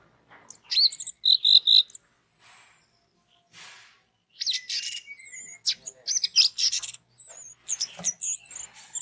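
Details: Orange-headed thrush song used as a lure to set other orange-headed thrushes singing: bright high whistled phrases and rapid trilled notes in bursts, separated by short pauses, with a fast chattering run near the end.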